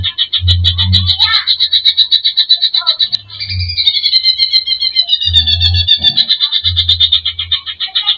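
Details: A greater green leafbird gives a fast, unbroken, high chattering warble with rapid trills and sliding notes, over repeated low thumping bursts.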